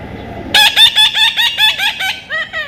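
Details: A young Indian ringneck parrot being tamed lets out a fast, even run of about eight grating squawks, then two softer, lower scratchy notes.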